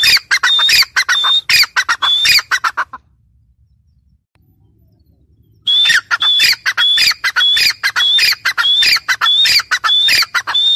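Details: Female grey francolin giving a loud, rapid series of harsh, squawky notes with a whistled ring, about one and a half per second. The calling breaks off for roughly three seconds of quiet, then resumes at the same pace.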